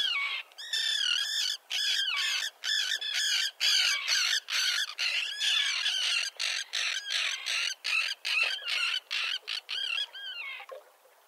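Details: Common terns calling at a breeding colony with young, on a concrete slab near a breakwater 1.5 km offshore at Liepāja, Latvia, June 2024; rapid stream of harsh, scratchy, slightly wavering calls from many birds, fading at the end.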